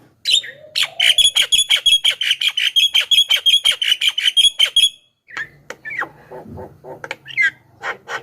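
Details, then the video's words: Javan myna song used to call wild mynas: a long rapid train of metallic ringing squawks, around three per second for four seconds, followed by scattered slurred whistles and rasps. "SUARA BURUNG JALAK KEBO,suara masteran paling dicari,ahli pancingan dengan variasi suara"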